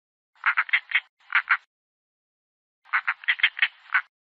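European roller giving harsh, grating 'rack' notes in quick clusters: two short bursts, a pause of over a second, then a longer rattling run.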